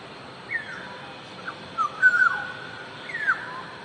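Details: Black-naped oriole in the wild, giving a string of fluty, slurred whistles: short notes at first, then a louder rolling phrase in the middle and a falling whistle near the end, over a faint constant hum.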